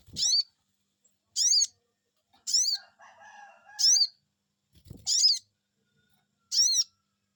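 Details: Sogon bird answering a lure call, repeating a bright, high, arched 'cuiit' note five times at roughly one-second intervals, with a soft low murmur in one gap and brief low thumps.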